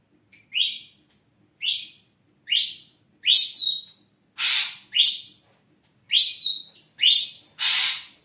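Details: Caged ashy drongo singing actively, kept as a lure to stimulate other birds: a steady series of clear upswept whistles, each rising sharply, about one per second, with several loud harsh rasping notes mixed in.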